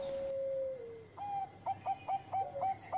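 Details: Bangkok zebra dove with engkel-style song to stir breeding mood: a long level note that dips, then a quick series of about eight short hiccuping coos, quieter and with some background hiss.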